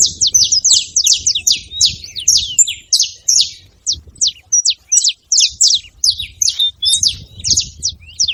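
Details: Several wild saffron finches chattering in a hedge: rapid, crowded high chirps and short sharp notes in quick bursts, some overlapping, continuing throughout with almost no low background sound.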